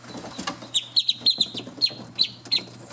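Australian shelduck ducklings give high, thin, down-slurred peeps, about eight in two seconds, over a faint low hum and a brief rustle.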